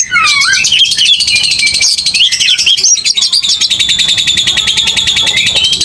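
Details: Oriental magpie-robin giving an aggressive fighting song: slurred whistles giving way to a fast, buzzy, continuous trill held at a steady pitch.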